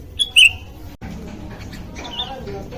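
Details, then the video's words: Sooty-headed bulbul calling to companions: a brief burst of two or three sharp, high chirps near the start, then only a low background rumble. "Burung kutilang gacor memanggil teman"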